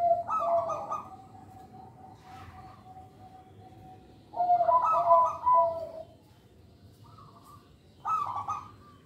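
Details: Local zebra dove song meant to draw in young birds and to encourage silent doves to sing. Bubbly rolling coos, with a long quiet hum between bursts and a faint short phrase near the end.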